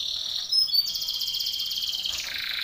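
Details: Canary contest training song from a Belgian canary: a soft high trill, a short bright whistle, then a continuous pulsed roll that drops slightly in pitch toward the end.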